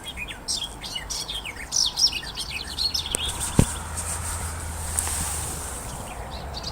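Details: Garden warbler singing in Essex in early May 2023: a fast, rich warble of run-together notes, like a sped-up blackbird, for about three seconds, possibly answered by a second bird; a blackcap and a finch sing faintly behind.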